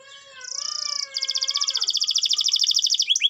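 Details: Canary in full song, meant to trigger silent canaries: soft wavering tones give way to a high rapid trill, then a longer, louder pulsed trill with rolling rhythm, ending in quick rising chirps.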